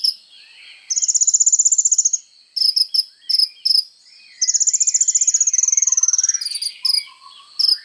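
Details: Kolibri ninja sunbird singing hard, used as training material for songbirds: two long, fast, buzzy high trills, each followed by clusters of sharp chips, with faint softer twitters underneath.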